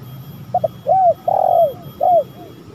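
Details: Cooing spotted dove lure call, starting with two clipped notes, then a curved low coo, a long vibrating croon sliding down at the end, and a last arched coo with a faint echo.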